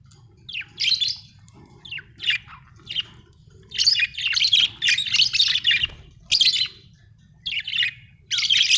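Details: Budgerigar chirping happily: bursts of scratchy, buzzy warbles and squeaky chirps, dense and broadband, coming in irregular runs with short pauses, a faint low hum underneath.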